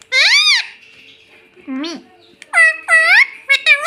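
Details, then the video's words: Pet rose-ringed parakeet talking indoors, saying words like "mummy" and "mitthu": high nasal harmonic-rich syllables in short bursts, some rising and falling, with pauses between. "Talking parrot || mummy mummy mitthu mitthu bolta tota"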